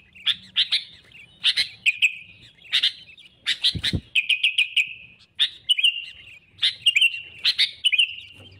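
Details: Bulbul song for trapping rivals, the sooty-headed bulbul giving clusters of rapid, twangy whistled notes in bouts of about a second, with a single louder thump near the middle.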